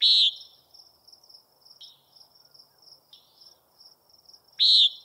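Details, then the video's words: Common nighthawk gives a loud buzzy nasal call at the start and another at the end, with two fainter, shorter buzzes between them. A steady high cricket trill continues throughout. "Common Nighthawk Calling"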